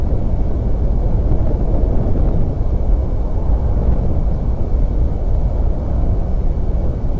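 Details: Steady loud low rumble of wind or distant engine noise fills a camera feed at a bald eagle site, with no animal voice heard.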